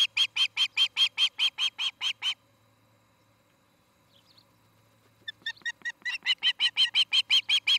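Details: Nest-cam audio of Ospreys at Charlo, Montana, evening of 17 August 2018: a fast string of piercing, slightly buzzy whistled chirps, a quiet gap of about three seconds, then the chirping resumes, softer at first, then loud again.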